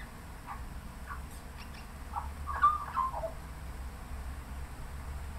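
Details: Australian magpie on a suburban Melbourne boundary fence, Australia, singing in light drizzle late in the afternoon; a few soft scattered notes, then a short warbled phrase mid-clip over a steady low rumble.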